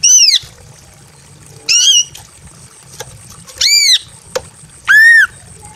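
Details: Female greater green leafbird in breeding condition in a simple aviary, calling for a male: four separate arched, slurred notes that rise then fall, spaced over roughly one and a half seconds, with a steady faint high hum and a few clicks between.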